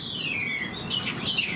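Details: Caged old wild-caught Chinese hwamei giving a brief falling whistled slur, then a few quick bright notes over low background hum.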